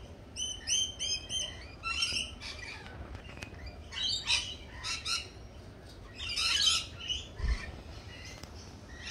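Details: Lorikeet chatter opening with a short run of evenly spaced, harsh harmonic notes, followed by scattered loud screeches and squawks from several birds, with faint low rumble underneath.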